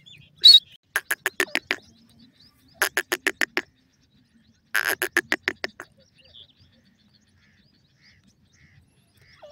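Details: A pair of francolins, Dakhni or Iranian teetar, calling: three bursts of harsh, evenly repeated clicking notes, each burst of five to seven beats, separated by short pauses, with a quiet background.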